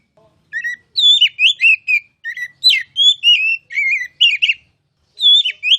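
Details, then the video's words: Oriental magpie-robin (kacer), a contest candidate, in masteran song: bright whistled phrases with rising and falling slurs, delivered in a rapid series, then a pause and a final loud whistle. "KICAU MASTERAN KACER CALON JUARA!!!"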